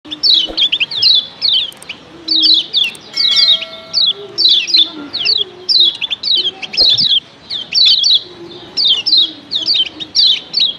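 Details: Lemon-bellied white-eye, female and male calling together, a combination said to set all other white-eyes off: bursts of sharp, high, downward-slurred chirps in quick clusters, repeated through the recording, with faint low tonal hums beneath.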